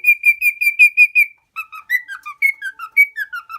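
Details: Pet lutino cockatiel, a tame four-year-old male from a home in Minoh, Osaka, whistles a run of steady high notes, then a brief pause and a livelier string of falling and rising whistled phrases.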